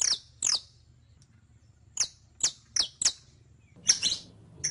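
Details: Canario criollo, the saffron finch, heard on a tutoring recording: two sharp chips, a brief silence, then a row of evenly spaced bright, falling notes and a final buzzy flourish.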